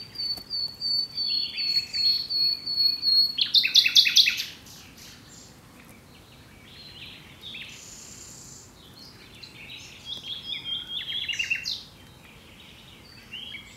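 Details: Common nightingale singing: a run of high, evenly repeated whistled notes for about four seconds ends in a loud harsh rattling burst, then after a pause come quieter varied phrases of chirps and short trills over faint background hiss.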